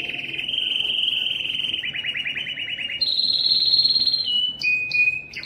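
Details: Belgian canary in loud breeding song meant to attract females: a sustained buzzy trill that drops into a coarser rolled trill, then a higher fast trill, ending in short sharp whistled notes.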